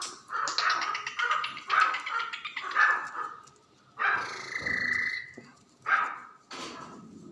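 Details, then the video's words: Black francolin (kala teetar) calling in the breeding season: a run of harsh, nasal, harmonic notes repeated roughly every half second, followed by two longer drawn-out grating calls with pauses between them. "Kalay teetar ki awaz teetar sound teetar ki masti black francoline voice kalay teetar voice teetar"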